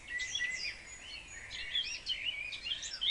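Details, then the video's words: House sparrows active in a wildlife garden in fine spring weather, competing for the best nest boxes; a continuous overlapping chatter of bright, short chirps and tweets from several birds. "Huismussen met lentekriebels"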